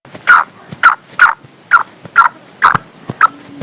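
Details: Calling female black francolin, whose call excites the male. Seven loud, rasping, abrupt notes come in just under four seconds at a somewhat irregular pace, ending with a faint low tone.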